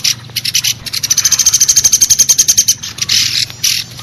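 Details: Common flameback lure call for catching woodpeckers, a rapid rattle of high sharp notes at a fast steady pace, set between short irregular bursts.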